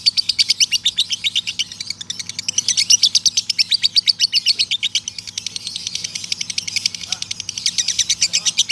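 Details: Male lovebird delivering a long ngekek trill for training lovebirds: continuous fast rattle of shrill chips lasting nearly nine seconds, slightly uneven in loudness, with low background hum.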